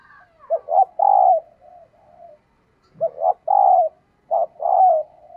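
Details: Hen spotted dove cooing to excite male birds. Two matching phrases, each of quick short coos leading into a long, strong, level coo, separated by a brief silence.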